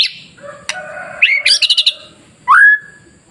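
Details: White-rumped shama song used as a training recording to provoke other shamas into singing: a rising whistle, a quick run of buzzy clipped notes, then a clear upslurred whistle, with gaps of quiet between phrases.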